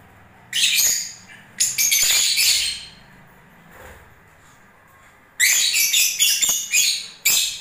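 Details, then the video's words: Shrill bursts of harsh, high chattering from lovebirds during the breeding season, with a quiet gap of several seconds in the middle before the loud twittering resumes. "Love birds singing and movements"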